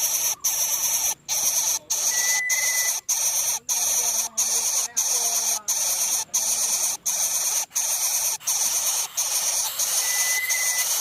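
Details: Greater coucal nestlings, three in one nest, begging greedily from an overwhelmed, angry parent: continuous rasping hiss broken by short regular pauses roughly every 0.7 seconds, with a faint whistled note twice in the background.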